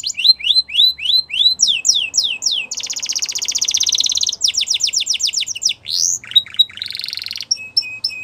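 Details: Canary singing to encourage other canaries: rising whistled notes, a long dense buzzy trill, then rapid slurred phrases and sharp clipped notes.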